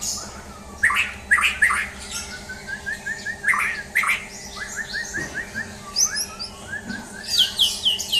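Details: Champion white-rumped shama in a mental test: rich varied song of clear whistles, rising slurs and quick high trills, over a steady low hum with background chatter of other birds.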